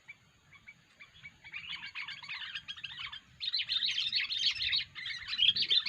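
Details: Unusual 'poin' call of a sooty-headed bulbul, used as a bird lure. Soft scattered chirps build into a loud, continuous jumble of harsh chattering notes. A faint low rumble runs underneath.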